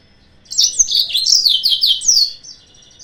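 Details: Yellow-fronted canary song used as a lure to provoke rival birds: a dense, rapid run of high, twittering and slurred notes lasting about two seconds, trailing into a thinner, fading trill, with no other clear sounds.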